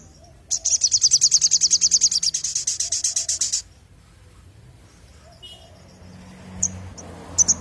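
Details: Actively singing Crimson sunbird delivering a long, rapid, high rattling trill of about three seconds that fades slightly, followed by a few thin high chips; soft low background noise.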